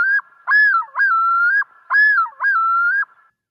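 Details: Common Loon yodel, Minnesota: loud, rich whistled phrases, each a rising swoop then a long level wail, in two-part cycles about every 1.5 seconds. It is an alarm or distress call given only by males, typically in territorial defense.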